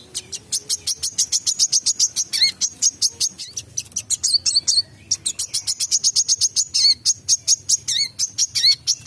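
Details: Sustained wiceh song used as tutor audio for songbirds: a relentless, rapid train of high chirps interrupted by looping whistled dips and a tangled twittering burst midway.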